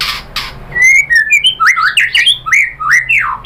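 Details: A white-rumped shama delivers a fast, rich song of looping whistled slurs and buzzy rising notes, preceded by two soft rustling sounds, over a quiet indoor hum.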